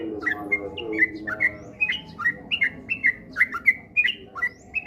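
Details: Sooty-headed bulbul song meant to coax birds into singing often, heard as a steady run of brief, bright, slurred chirps, roughly three or four each second, with a faint low hum behind.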